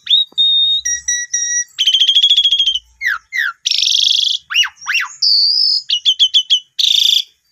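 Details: Song of an Asian pied starling, played to coax a newly purchased bird into singing; a pure whistled tone, then buzzy trilled phrases, steep falling whistles, a harsh rasp and a quick series of short chipped notes.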